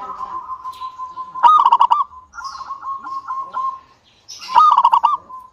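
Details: Energetic local zebra dove song meant to draw other doves into singing: two loud, fast, rolling trilled coo phrases, with a steady run of soft, level cooing notes between them and faint chirps in the background.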